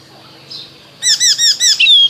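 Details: Icterine warbler in spring repeating one clear, arched, rich note five times in quick even succession, ending on a longer thin whistle after a soft introductory note.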